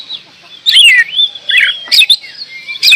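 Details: Oriental magpie-robin breaking into song after a quiet start: a loud descending whistled slur, then chirpy notes and sharp clicks.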